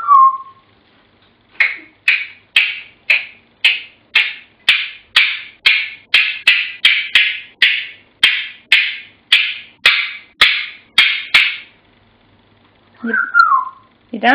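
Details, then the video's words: Indoor pet African grey parrot on Pop Goes the Weasel. A falling whistle is followed by about twenty rapid, evenly spaced knocking clicks, then closing whistled and squawky notes. "The African Grey - Pop Goes The Weasel"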